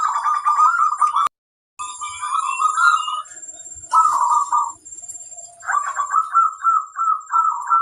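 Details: Zebra dove singing on a training recording to coax birds into song. The rolling, warbled cooing phrases are broken by a sudden silent gap, with a sharp click and a longer repeated phrase at the end.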